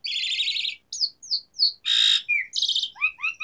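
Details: Energetic Asian pied starling song, local style jalak suren gacor with isian tembakan: a fast rattling trill, three falling whistles, a broad harsh buzz, then quick rising chirps repeated in a series.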